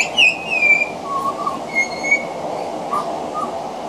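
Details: Pied butcherbird singing from a veranda, weaving imitations of other Australian birds into its song: bright descending whistles, a lower fluty phrase, then a high sustained whistle and soft closing notes.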